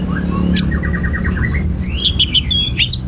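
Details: Orange-headed thrush singing 'teler' song with varied material: a quick series of short even notes, then descending high whistles and sharp squeaky phrases, over a noticeable low hum and rumble.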